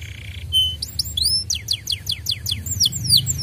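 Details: Canary lure song meant to prompt other canaries to sing: a thin held whistle, then a burst of high rising and falling whistled notes in quick series, over a low steady hum.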